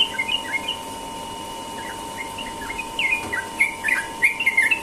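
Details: Sooty-headed bulbul singing in the ropel style in the morning: short, bubbly whistled phrases. They come in loose bursts, sparse at first and livelier toward the end, over a steady electrical hum.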